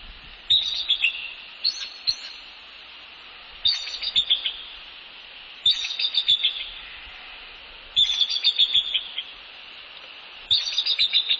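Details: Wild bald eagle pair, male and female, at their nest in northeast Florida on an evening in January 2019, greeting each other while working on the nest; high piping chattering series, each dropping in pitch, repeated every two to three seconds.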